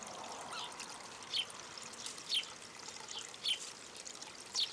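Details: A rarely sighted common redstart at Recke, Germany, on 12 August 2021 gives short, high, thin whistled notes about once a second, four in all, over a steady hiss like trickling water.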